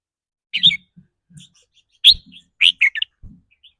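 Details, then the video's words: Red-whiskered bulbul making 'rik' calls, said to shift between rapid and doubled forms with its daily mood: loud sharp chirps arriving in quick bursts, some paired, with soft low knocks underneath. "ริ๊กรัวๆ คือเรื่องปกติ"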